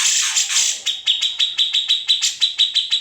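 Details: Unedited recording of a grey-cheeked bulbul (cucak jenggot) meant as master song for other songbirds; opens with a loud rasping buzz, then clear high chips repeated roughly twice a second.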